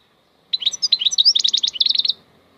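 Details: A single brisk goldfinch phrase of mixed twitters, bright chirps and quick buzzy notes, lasting under two seconds. The bird is locally called maknine khalwi.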